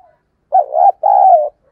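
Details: Caged decoy spotted dove giving one excited, full-throated coo: a short throbbing note followed at once by a longer, steady, slightly falling mellow coo.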